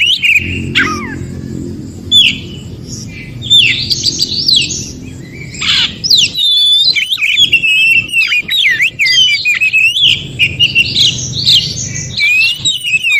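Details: Wild Oriental magpie-robin from the forest, used to make other magpie-robins respond: scattered sharp chips and downslurs at first, building into a dense, rapid stream of twisting whistles and trills.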